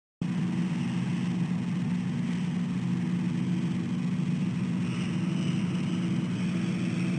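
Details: A steady mechanical hum with an engine-like drone fills the whole stretch, and no animal calls can be picked out.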